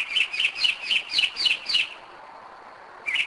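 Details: Northern mockingbird night song, 2am in Kennesaw, Georgia: seven evenly spaced, slightly descending chirped notes in under two seconds, a pause, then a new phrase starting.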